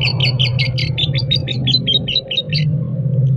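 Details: Lovebird with a "konslet" character. Rapid, sharp, chirping notes, about fourteen in under three seconds, each buzzy and slightly falling. A steady low hum runs underneath throughout.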